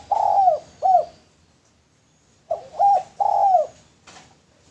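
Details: Clear cooing from a male spotted dove used as a lure: a long coo and a short note, a silent pause, then a fuller phrase with a short opening note, another long coo and a click.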